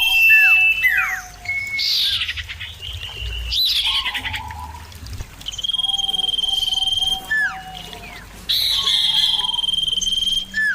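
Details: Common iora songs traded back and forth, clear and loud. Falling slurred whistles and bright rising bursts mix with long, pulsed, level whistles and some lower, softer notes.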